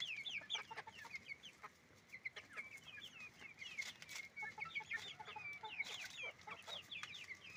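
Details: Hens and roosters calling on a chicken farm, heard as a steady, crowded mass of thin, high chirps and squeaks overlapping throughout, with rapid clicks and knocks mixed in.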